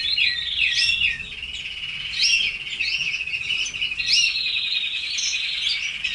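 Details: Red canaries in a cage singing in bursts: rolling high trills broken by sharper chirps about every two seconds, slightly quieter than a full chorus.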